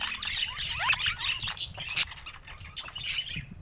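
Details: Pet budgerigars, more than one bird: looping warbled whistles that slide up and down, mixed with scratchy chirps and an occasional sharp click.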